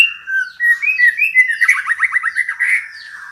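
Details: Female white-rumped shama calling to stimulate a male to sing: a series of slurred whistled notes rising and dipping, then a fast buzzy trill of about ten repeated notes, closing with a brief warbled phrase.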